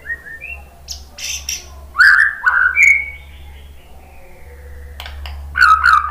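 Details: White-rumped shama song used to make other shamas answer: scattered whistled notes and sharp clicks with quiet gaps between, ending in a loud varied phrase, over low steady hum.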